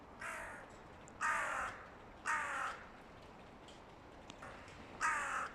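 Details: Rival groups of hooded crows calling noisily ahead of the mating season; five rasping caws follow one another roughly a second apart, some louder, some more distant.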